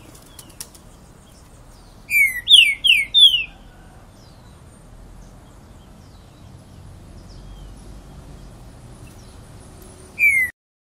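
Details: Green-winged saltator (pixarro) singing a short phrase of four clear, loud whistled notes that slide downward, then a long pause and one more whistled note near the end, with faint background hiss.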